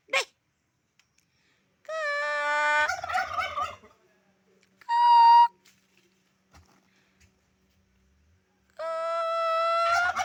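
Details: A turkey repeats its call three times, roughly every three to four seconds. Each time a long, ringing harmonic note melts into a rapid, throaty, bubbling gobble, with silence between the calls.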